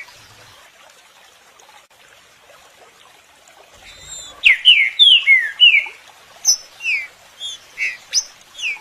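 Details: Green-winged saltator (Saltator similis) song used to stimulate other birds to sing: after four seconds of soft hiss, loud, rich whistled notes slur downward in quick phrases, about three per second.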